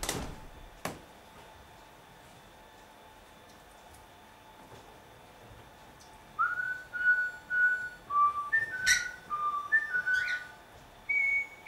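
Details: A pet cockatiel in Dortmund-Huckarde, Germany, gives a run of clear whistled notes, some held flat and some sliding upward, after several seconds of near silence in a quiet room.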